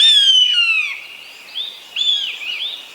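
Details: Common buzzard, a large hawk, uttering one long drawn-out descending mew, followed by softer, shorter whistled notes that rise and fall, with no other noise.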